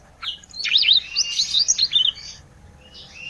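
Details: Vigorous isian song of an Olive-backed tailorbird: a short burst of rapid, high, zigzagging chirps and twitters lasting about a second and a half, then a quieter thin note trailing off.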